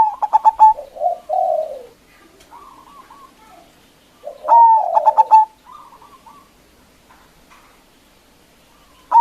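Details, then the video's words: Local zebra dove used as a decoy to call up and anger rival doves, repeating its phrase: a burst of rapid pulsed notes and a lower slurred coo, then a quieter stepped series, recurring about every four seconds. "Perkutut Lokal GACOR suara Besar Ampuh memanggil Lawan_EMOSI MANGGUNG PANCINGAN PERKUTUT LOKAL"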